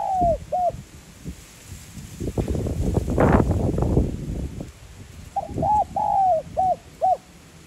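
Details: Spotted dove of the 'giọng son' style cooing to stir decoy birds. Clipped coo notes at the start, a loud burst of rushing wind-like noise in the middle, then a complete phrase of arched and drawn-out coos with short endings.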